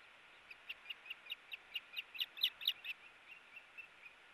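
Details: Two ospreys at a nest cam on 4 August 2018, in a tug-of-war over a fish: a run of about a dozen sharp, high chirps, swelling louder in the middle, then fading, with steady background hiss.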